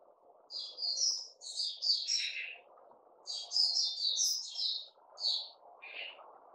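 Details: Bulbul after a fruit juice, mealworm and health drink feed, 08/05/2021: clusters of sweet warbled and chirped notes in several phrases, over a steady low background hum.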